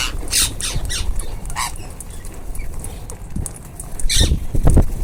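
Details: A group of ringneck parakeets eating, giving harsh, broadband squawks in short bursts near the start, midway and toward the end, over low rumbling handling noise.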